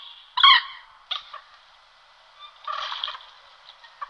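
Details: Common moorhen giving harsh alarm calls, typical of the species: a loud grating burst near the start, then a shorter rasping note and a scratchy, stuttering series about two seconds later, with quiet pauses between.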